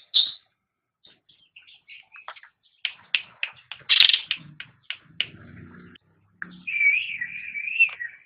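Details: Cucak rante, a pet songbird on a master training recording: scattered sharp ticks and rasps build to a loud harsh burst, a low rumbling chatter follows, and a long wavering whistle ends the phrase.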